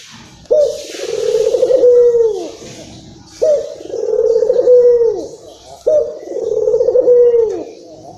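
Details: Local Barbary dove, described as agitated, cooing to lure and stimulate other doves: three long, low rolling coos, each swelling then dropping off at the end, repeated about every two and a half seconds over faint background hiss.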